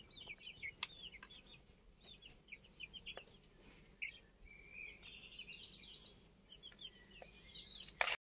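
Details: Older chicken chicks peeping: scattered high cheeps at first, building into longer buzzy trilled peeps from several chicks, with occasional knocks and clatter in the background.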